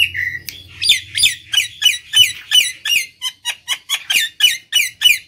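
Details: Lure song of the Nias hill myna: a steady string of short, downslurred harsh whistles, about three per second, rough and squawking, with a low hum at the start.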